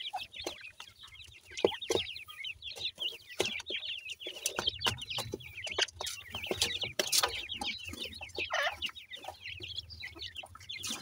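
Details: Yellow pheasant and partridge chicks feeding at home, pecking and searching for food under their parents' watch; dense chorus of high, rapid peeping chirps overlapping throughout, with occasional louder clucks and scratching sounds.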